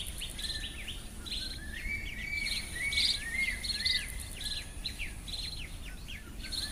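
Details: White-rumped munias in the Garo Hills, Northeast India, giving a busy stream of short, high chips and thin descending notes, roughly two a second, with faint insect hum and low rumble beneath.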